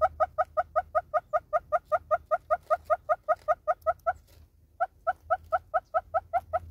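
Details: A long, regular series of loud clucks from a southern red-billed hornbill in South Africa, about twenty-five notes, a brief pause, then the clucking resumes; quiet low background.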